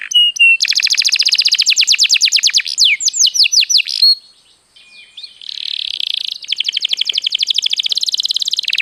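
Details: Canary song meant to spur other birds to sing: a short whistle, then dense fast trills and sweeping notes, a brief quiet gap with a soft buzzy passage, followed by another rapid trill.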